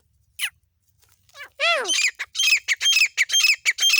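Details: Female black francolin, hunted in jungle in Pakistan: a few isolated sharp notes, a slurred descending note, then a rapid harsh series of grating, scratchy bursts about two per second.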